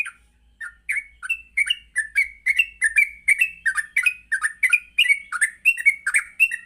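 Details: Yellow-vented bulbul in lively morning song, a lure for training trucuk to learn notes and ngropel. Steady run of bright, warbling chirps, some rising and some dropping, delivered about twice per second.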